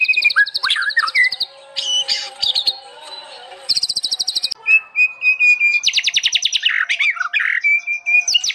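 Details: White-rumped shama in full song, for use as a master recording: bursts of fast buzzy trills alternate with clear, sustained and swooping whistles, with short pauses between phrases.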